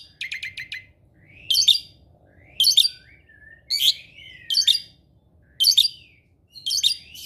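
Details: Asian pied starling kept at home and noted for copying other birds' sounds: a quick stuttering series of clicks, then scratchy chattering bursts about once a second, with a soft low whistle among them.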